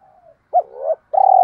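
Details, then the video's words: Spotted dove coo used to lure birds: a brief fragment with a hooked note, a rising trembling coo and the start of a long pulsed coo, ending abruptly. "tiếng cu gáy kích bổi nhanh nổi kích bổi hiệu quả nhất 2023"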